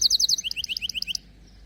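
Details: Canary in full song: a fast run of bright high notes, then a row of short rising chirps repeated about ten times per second, ending abruptly.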